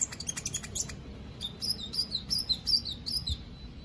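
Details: Caged white-rumped shama in an online singing contest, from Palu, Central Sulawesi: quick high chips, then a run of rising and falling whistled notes, over steady background hiss.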